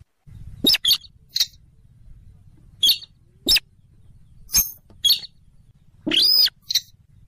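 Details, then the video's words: Rallidae bird lure for trapping, from marshy river or lake habitat: scattered sharp, high clicking squeaks spaced a second or so apart, ending with a longer harsh squeal, low hum underneath. "suara pikat burung sintaran sawah / weris /mandar dengkur"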